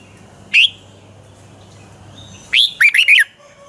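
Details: Red-whiskered bulbul of the Pa La-u type from Thailand, singing in the bulbul 'double' song style: a lone sharp upslurred whistle, then after a pause a full phrase of a rising note followed by three quick warbled notes.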